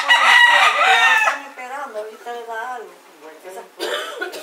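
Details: Close to a cock fight in Puerto Rico, winter 2014, two conflicting roosters yell at each other. A loud, raspy crow opens, then people talk in Spanish, and a second harsh burst comes near the end.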